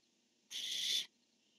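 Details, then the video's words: One rasping half-second shriek from a barn owl on a nest cam, recorded 10-1-15 as the male called and the female answered, with a soft hum before and after. "Casper called and this time Dottie answered"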